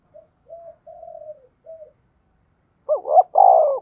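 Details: Spotted dove used as a decoy to lure wild doves for trapping, giving its calling coo: a few soft, low, level coos, then two louder, rolling, wavering coo notes near the end. Background otherwise silent.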